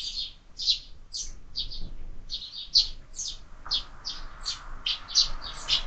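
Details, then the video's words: Sparrows at a window-mounted feeder used for year-round bird feeding give a steady run of short, bright chirps, often doubled, about two a second, with a soft hiss entering partway through. "Воробьи в кормушке"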